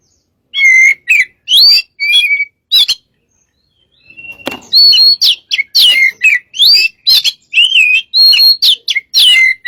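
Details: Oriental magpie-robin, lure recording of strong song: a few loud whistled phrases, a short silence with a soft rising note, then a rapid string of bright whistles and chirps.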